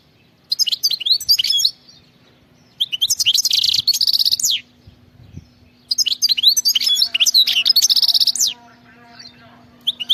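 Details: Wild-style (khalawi) song of a European goldfinch in three bursts of quick, high tinkling twitters. Each burst holds a dense buzzy trill, with a faint steady low hum underneath.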